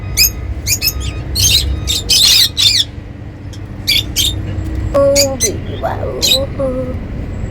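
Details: Happy lovebirds chirping in a lively, irregular string of sharp high notes, joined near the end by lower, tonal sliding sounds.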